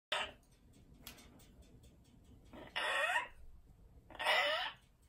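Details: Amazon parrot indoors giving two harsh, broad screeching squawks about a second and a half apart, each lasting under half a second, with a few sharp clicks and taps earlier and quiet room noise between.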